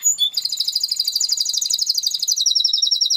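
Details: Spanish Timbrado canary, a breed close to the wild canary, singing: a sharp high whistle opens, then a fast, even, bubbling trill of rapid repeated notes runs steadily for three seconds.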